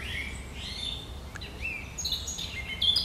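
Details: Great reed warbler song recorded on 1 July 2020, sharp and chattering: harsh rising and falling phrases and short scratchy notes over a steady low background rumble.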